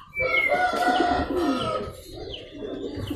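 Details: Local zebra dove, a male skilled at provoking rivals into calling back, giving a series of tonal notes in a busy soundscape with other doves and birds audible and some background noise.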